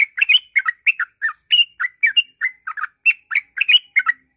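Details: Ngropel-style song of a yellow-vented bulbul, played as a lure to set other birds singing: brisk, rapid burst of rich, slurred chirps and upslurred notes, tumbling one after another about four per second.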